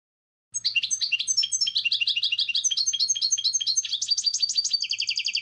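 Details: Goldfinch song starting after half a second: a busy stream of high, jangling chirps and twitters that settles into a steady, rapid buzzy trill. A faint low hum sits underneath.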